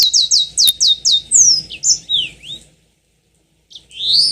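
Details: Yellow-fronted canary singing a lure recording meant to spur long rolling song. A fast series of repeated high chirped notes, about eight in quick succession, gives way to varied whistled slurs, then a pause and a rising whistle.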